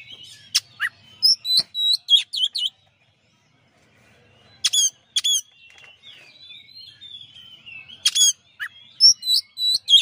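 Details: Master song of a champion white-rumped shama: clusters of loud sweet whistles and sharp clicks separated by pauses, with soft twittering between bursts and no other noise.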